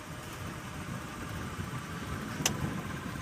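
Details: Steady engine idling and low vehicle rumble, broken by a single sharp click near the end; no animal voices.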